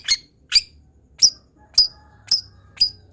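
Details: Long-tailed shrike used as a tutor for other birds: six sharp, high, clipped notes spaced about half a second apart, with a quiet low hum between them.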